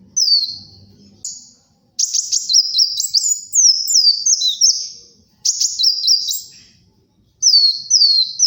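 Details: Sunbird of the kolibri wulung kind singing for luring and tutoring: long runs of rapid stepped high whistles, each note dropping in pitch, broken by short gaps and ending in paired downslurs.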